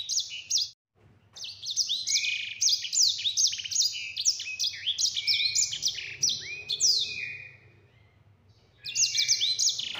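A yellow-fronted canary sings a fast, bright, high-pitched warble of rolling trills and sweet chirps. It pauses briefly near the end, then bursts back in.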